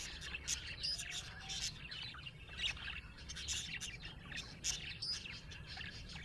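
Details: Happy pet budgerigars, colourful Australian parrots, giving a busy stream of bright chirps, squeaky warbles and sharp clicks, several overlapping, with brief louder bursts every second or so above a low rumble.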